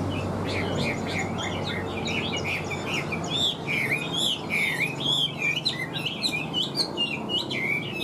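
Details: Chinese hwamei in a cage singing a stream of varied whistles, rolling warbles and sharp slurred notes, becoming louder and more emphatic after the middle, with a background hum.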